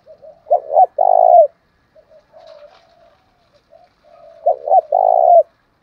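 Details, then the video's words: Spotted dove giving its coo to stir rival males: a phrase of two short hoots and one long steady low coo, a quieter murmured section, then the same phrase repeated. "tiếng chim cu gáy kích bổi giọng gáy hay mới"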